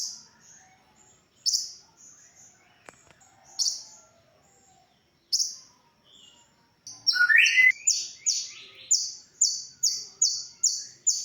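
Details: Konin, a sunbird, in original song used as masteran to tutor other songbirds: a few scattered high buzzy notes, then a brief lower twittering burst, before a fast, steady run of sharp, high, descending notes about twice a second.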